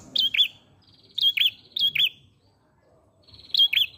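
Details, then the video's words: A chatty lure song from an ashy prinia (prenjak pala merah): four bright, piercing double chips, each a high note falling to a lower one, with a faint buzzy trill trailing off. "Pancingan Prenjak Pala Merah Gacor Mengalun"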